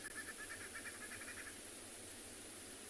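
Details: Green wood hoopoe (Phoeniculus purpureus) heard in the background on an overcast December 7, 2020 morning safari drive in a South African game reserve, giving a fast, chattering run of cackling notes for about 1.5 seconds over a steady hiss.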